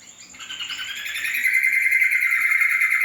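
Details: Yellow-vented bulbul giving a continuous warbling phrase that swells in loudness, its liquid notes settling into a sustained mid-pitched trill, with a faint high steady tone behind.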